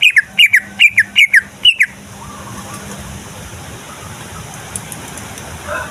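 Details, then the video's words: Greater green leafbird from Kalimantan, male, a lure song for provoking rival leafbirds: about two seconds of paired, falling whistled notes, then steady background hiss with a faint distant hum. "Cucak Ijo Dijamin Ikut Jamtrok Nyaut Bunyi Ngamuk Mendengar Suara Cucak Ijo Gacor Ini"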